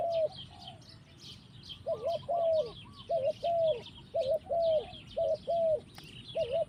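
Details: Spotted dove singing in a forest: short, arched, mellow cooing notes given in quick pairs and runs after a brief pause, with thin high chirps of other small birds throughout.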